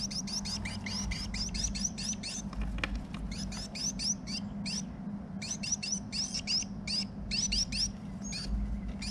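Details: A female Carolina Wren building a nest in a garage in March, talking to her mate, gives rapid bursts of high, sharp chips, several per second with brief pauses, over a steady low hum.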